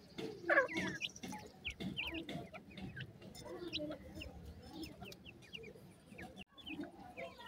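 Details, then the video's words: Grey francolin chicks at play, giving many short, high, thin peeps that rise or fall quickly and overlap in a busy chatter, with a louder burst near the start and a low rumbling background. "pheasant bird check ki call"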